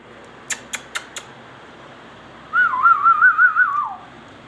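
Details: Ringneck parrot indoors: a row of four sharp clicks, then a single wavering whistle held level for over a second, quivering up and down rapidly before sliding downward at the end.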